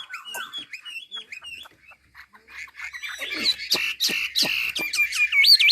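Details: Chinese hwamei from Ha Giang, Vietnam: soft broken whistles at first, a brief pause, then louder varied song with sharp clicks and bright looping whistled notes building toward the end.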